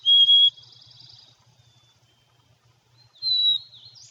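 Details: A Black-capped Chickadee gives two clear, pure whistled notes about three seconds apart, the second sliding slightly downward, over a faint low hum.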